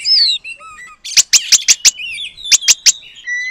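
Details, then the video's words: Energetic oriental magpie-robin song imitating the long-tailed paradise bird, meant as training material: a descending whistle and soft warbles, then two bursts of loud sharp clicking notes, five and then three, over a faint thin whistle. "Kacer Gacor Materi Burung Surga Ekor Panjang"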